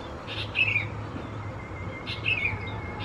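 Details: Sooty-headed Bulbul young of race thais, Phetchaburi, Thailand, in June: two bursts of a rough noisy note followed by a thin falling squeak, about two seconds apart, over a low hum.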